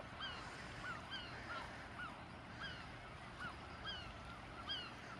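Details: Herring gulls (Larus argentatus), several birds overlapping, giving repeated harsh, slightly falling mewing calls about twice a second over steady wind and surf, on the Cornish coast at Godrevy on a calm July summer day.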